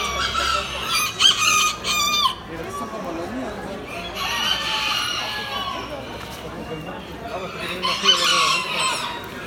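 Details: Aztec miniature rooster at a poultry exhibition in October 2019, crowing in short, hoarse phrases over loud background chatter, with other clucking and crowing birds nearby.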